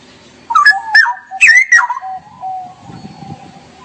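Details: Straw-headed bulbul singing 'gacor' in 'ngerople' style: a rich, rolling phrase of loud fluty warbles that rise and tumble down, trailing off into a soft low whistle over faint background murmur.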